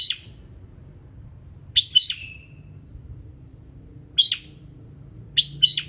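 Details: Red-whiskered bulbul morning song rich in varied notes: brisk clustered chirps of two or three quick notes, one ending in a short level whistle, repeated at intervals of one to two seconds against a faint low background hum.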